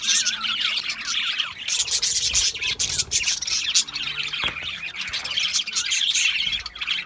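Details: Budgerigars chattering nonstop: dense, scratchy warbling and chirps packed high in pitch, broken by sharp squawks and clicks, several birds overlapping with no pauses.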